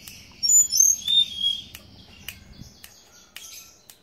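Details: High, thin whistled notes from a teledekan gunung (blue flycatcher) singing energetically, a short run of sweet sliding whistles followed by sharp clicks and a quiet pause.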